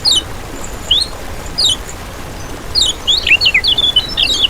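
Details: Lemon-bellied white-eye, used as a lure for trapping birds: well-spaced thin, descending chirps, then a busy, rapid stream of high, zigzagging twitter notes.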